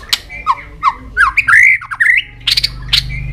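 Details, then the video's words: White-rumped shama singing a fighting song with tail flicking to rouse young birds: varied whistled notes dipping and rising, a loud slurred phrase in the middle, and harsh clicks and squawks near the end. "chòe lửa hót đánh đuôi.chòe lửa tạch kích bổi lên lửa hiệu quả"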